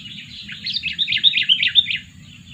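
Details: Sooty-headed bulbul used as a bird lure, aged two years, producing a short dense tumble of bubbly, slurred notes that rise to a louder middle and fade.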